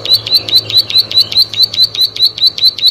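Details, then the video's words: Plain prinia song: a fast, steady string of short, high, buzzy notes, about four or five each second, with a faint low hum behind. "Prenjak Sawah Gacor"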